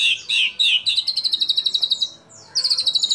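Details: White-rumped shama singing as a lure for fellow shamas: three or four harsh slurred notes lead into a rapid trill of high repeated notes, then a pause and a fresh trill.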